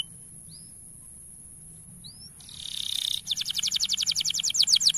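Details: Male canary song for training young canaries: two faint rising whistles, a soft buzz, then a strong fast trill of sharp high notes repeated nearly four times a second.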